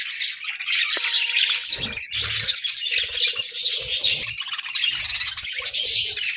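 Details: Pet parakeets twittering continuously, a thick wash of high chirps and warbled chatter, with a brief steady tone near the start and scattered low knocks and rustles.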